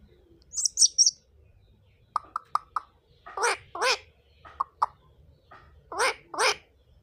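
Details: An Indian ringneck parakeet chatters with a mix of high thin whistles, quick clicking notes and louder harsh squawks in pairs, separated by short silences.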